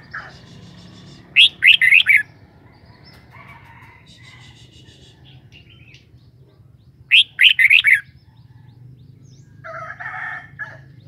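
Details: Two short bursts of chirpy, bouncing whistles from a kept red-whiskered bulbul, each phrase of about four notes, separated by several seconds of softer background calls.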